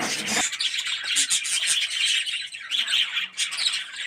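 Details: Budgerigar colony of yellow, red-eyed birds in an aviary, producing a dense stream of shrill chirps and scratchy chatter, nearly continuous and overlapping throughout.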